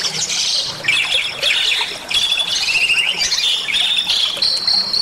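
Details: Vigorous, varied Bali myna song used for training caged songbirds and prompting them to sing: busy bursts of harsh chirps and rapid trilled notes, with brief pauses between phrases.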